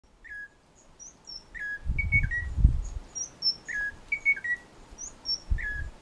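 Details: Munchique Wood-wren (Henicorhina negreti) in Las Orquídeas National Park gives short, clear whistled phrases of slurred notes every second or two, with thin high notes above and low rumbling bumps.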